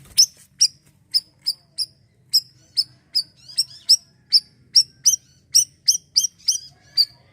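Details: Busy gacor siri-siri singing from an Asian glossy starling, aimed at training raw birds: around twenty-four sharp, high chirps packed into seven seconds, speeding up toward the end, faint low hum below.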